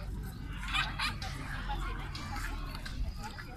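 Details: A sulphur-crested cockatoo at Dehiwala Zoo, Sri Lanka, mimics human speech in Sinhala with short, hoarse, word-like phrases repeated in quick bursts, over a low background rumble.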